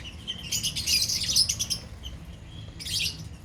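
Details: A burst of shrill, overlapping chirps from a lovebird colony goes quiet, then a second short flurry of high chatter follows.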